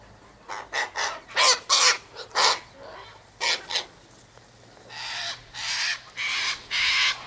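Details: Sulphur-crested cockatoos eating scattered sunflower seed, wheat and birdseed near an eastern gate, giving a rapid series of harsh grating squawks, some short and clipped, then four longer raspy screeches, with a steady low hum beneath.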